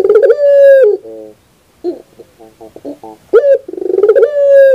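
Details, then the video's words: Barbary dove from a training recording. A long falling coo opens the sequence, followed by a pause and a scatter of short, soft clucking notes. Then another sharp note swells into a sustained coo. "Masteran terbaik Burung Puter 2021"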